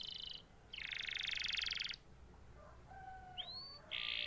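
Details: Canary giving short bursts of song: a brief high trill, a loud rough rattling phrase, a quieter stretch with a low soft whistle, a rising swept note, then a bright trill.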